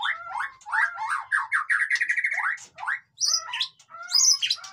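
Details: White-rumped shama song, described as noisy and meant to rouse lazy birds into singing: quick run of whistled, slurred phrases in a middle range, then higher clipped notes and chattering squawks after a short pause.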